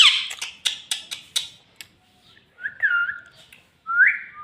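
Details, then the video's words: Talking pet parrot said to say "mummy papa": a run of short clicking notes, then voiced, rising, word-like tones. "Talking parrot mummy papa - Bolne Wala Tota - mummy mummy bolta tota"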